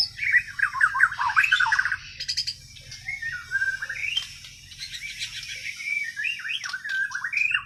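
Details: White-rumped shama from Borneo (Kalimantan) singing naturally, untrained by tutor birds: rich varied phrases of whistled, warbled notes around mid pitch, interspersed with harsher buzzy bursts, with a low steady hum beneath.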